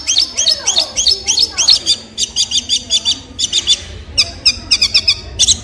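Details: Long-tailed shrike singing a dense, busy stream of high chips and clipped notes in quick groups, with a few lower slurred notes at the start.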